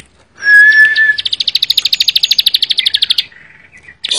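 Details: A ciblek sawah, or Bar-winged prinia, gives a clear level whistle, then a rapid series of sharp high ticking notes lasting about two seconds, ending with a short buzzy note.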